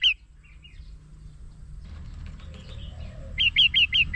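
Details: Red-whiskered bulbul sound used to lure birds for trapping: a single bright warbled note, soft faint notes, then a quick run of four clear rising-falling whistled notes near the end over low rumbling background.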